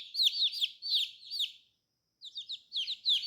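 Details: Young colourful chicks giving shrill, descending peeps, four in a row, then a short pause before several more quick peeps, with no other background sound.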